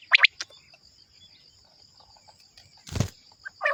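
Common Quail giving three quick, liquid notes at the start, followed by a thump and a short later call, over a steady high insect hum.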